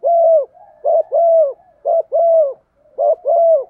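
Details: Female spotted dove coo played back so that silent males will call in wind and rain; steady, mellow pairs of short and long hoots repeated about once a second, loud and clear.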